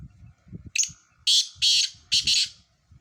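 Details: Black francolin in a four-bird calling competition from Sindh: a short lead note and three loud grating phrases, over a low background murmur of voices.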